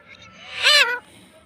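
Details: Parrot kept as a pet, talking and reportedly saying "mummy": a single loud, raspy, arching vocal burst lasting about a third of a second, rising from quieter room sound.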